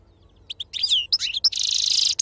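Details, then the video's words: Short burst from an authentic wild-type European goldfinch in the Sarfati style: a few tentative chips, a slurred whistle, then a loud continuous rasping buzz with bright notes on top. "أفضل تغريد بندوق حسون خلوي أصيل الله يبارك لصحابو ما شاء الله لغه خلوي أصيل سرفاتي"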